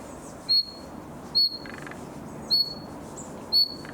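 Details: Young common nightingale in summer, practising song: four clean, high, slightly downslurred whistles, roughly one per second, with faint soft rattles in between.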